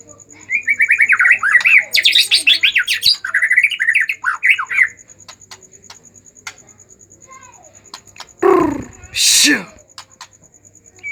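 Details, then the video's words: White-rumped shama in an agitated mood, its song meant to stimulate other shamas to sing: dense, rapid, chattering whistled phrases for several seconds, a quiet pause, then two loud rasping bursts. "pancingan murai batu emosi"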